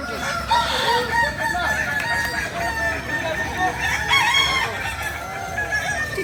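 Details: Kukuak Balenggek chickens, a native breed of Solok, West Sumatra, Indonesia: several overlapping crows with long, layered, drawn-out notes, mixed with clucking and a busy background hum of other birds.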